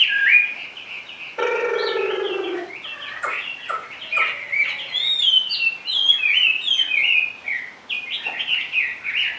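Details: Chinese hwamei, a big sleek caged bird: a whistled opening, then a harsh nasal drawn-out note, followed by sharp clicks and a lively sequence of varied whistles and chattering twitters.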